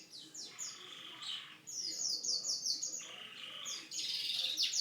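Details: Canary song with alternating buzzy low rolls and very high rapid chip series, repeated in quick succession over a few seconds.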